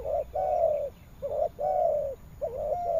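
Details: Spotted dove from Vietnam's Mekong Delta giving a steady cooing phrase. A short note leads into a long, smooth, slightly falling coo, and the pattern repeats about every second and a half.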